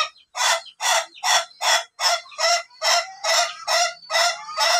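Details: Ayam Ketawa laughing chicken of the long-duration crowing type, under training to crow up to three minutes: a steady run of about ten loud, harmonic, laugh-like bursts, roughly two each second, with no pause between them.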